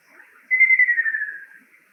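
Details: Male Ruddy kingfisher song, a single rolling trill of quick pulses descending slightly and dwindling toward the end, around a second long, with faint background rustle.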